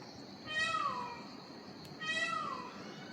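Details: One of many Indian peafowl calling from all sides around Mungerjung village in the hills of North Bengal, India, at dusk: two loud, nasal, cat-like wails about 1.5 seconds apart, each rising then falling, over a low murmur.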